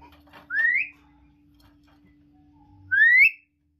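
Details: Two matching upslurred whistles from a captive talking common hill myna, about two and a half seconds apart, each short, clear and rising to a bright peak, with faint indoor murmur between them.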